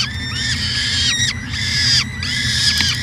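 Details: Nest-cam peregrine falcon, Edmonton, Canada, University of Alberta site, 2017. Three grating, wailing calls with bowed shapes follow one another in quick succession, with a steady low hum underneath throughout.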